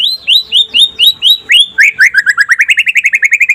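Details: White-rumped shama (murai pastol, trotol style) in daytime song used to get other shamas singing: repeated upslurred whistles that speed into a fast, regular chatter of short notes about four per second.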